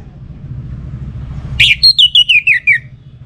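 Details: Caged Orange-headed thrush from northern Bali, Singaraja, kept as a contest songbird: a rising burst, then a run of about seven clear whistled notes descending gently over a second, over a low background hum.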